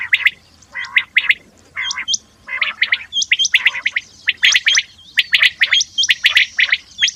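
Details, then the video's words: Common quail giving rapid groups of clipped, throaty notes in quick succession, mixed with higher hooked chirps from other birds overlapping throughout. "صوت السمان (الفري )الاصلي"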